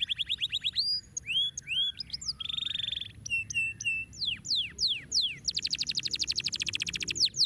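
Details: Canary song used to encourage lazy birds to sing, a long varied sequence of fast trills, falling whistled slurs, a buzzy roll and a dense high rapid trill near the end.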